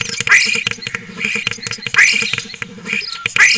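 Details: Song of a spotless starling from a webcam in Cabañeros National Park, Spain: loud rising slurred whistles about every second and a half, separated by crackling clicks and rattles, over a background hum.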